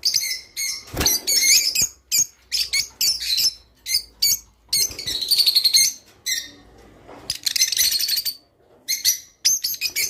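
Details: Java sparrow song meant to stimulate mating: a long run of clicking, tinkling notes with a drawn-out trilled, bell-like phrase in the middle, then scattered chips.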